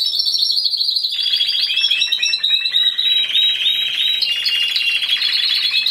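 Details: Timbrado Español canary in an individual singing class, November 2015 competition: an even high trill gives way to rapid bubbling rolls and tinkling notes without a break.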